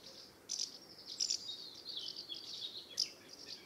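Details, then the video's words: Loud, close house martin calls near the nest in a UK summer: sharp high chirrups and a buzzy twittering run, roughly one and a half notes per second, sometimes in quick pairs. "House Martin Calls and Nest Site"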